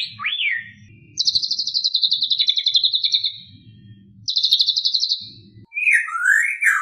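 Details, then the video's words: Full 'isian' song of a white-rumped shama, packed with borrowed sounds: a rising swooping whistle, then a long high buzzy pulsed trill, a shorter repeat of it, and closing upward-sliding whistles, with a low background rumble. "Full Isian Murai Batu"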